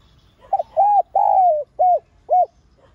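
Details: Calling and urging coo of a lure spotted dove: a stuttered opening note, then a rounded coo, a long coo gliding down at the end, and two evenly spaced arched coos, soft and low-pitched.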